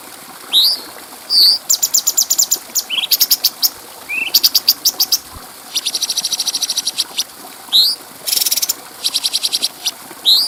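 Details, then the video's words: Cucak cungko bulbul with clear voice, used as training song for other birds. Upward-sweeping whistles alternate with rapid trains of sharp high chips and buzzy bursts, and a loud slurred whistle ends the phrase. "Masteran Burung Cucak Cungko Suara Jernih"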